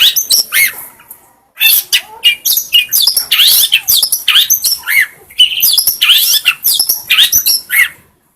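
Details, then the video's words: Long-tailed shrike singing, a recording meant to train other birds: fast varied chatter of sharp chirps, raspy notes and swooping whistles in bursts, with a brief pause near the two-second mark. "masteran burong kicau burung cendet terbaru.cocok buat pancingan"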